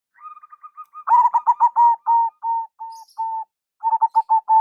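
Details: Local zebra dove lure call: soft, slightly higher ticking notes lead into loud stuttering coos, then drawn-out level notes, a pause, and another quick stuttering run, all clean and close.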